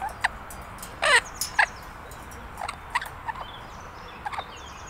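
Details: A six-month-old pet Illiger's macaw (Primolius maracana) playing in a garden gives a few short, harsh, grating squawks, the loudest two close together, between softer clipped chirps over a quiet background hiss.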